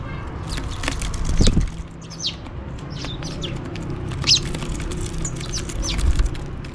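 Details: House sparrows chirping and calling for food while feeding: scattered short, sharp chirps high in pitch, loosest around one and a half and four seconds, over a steady low rumble.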